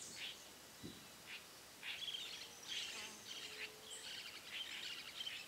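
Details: Spot-backed Puffbird at Boa Nova, Bahia, Brazil, gives a run of thin, high, breathy notes, loosely repeated about every half second, over a soft background hiss.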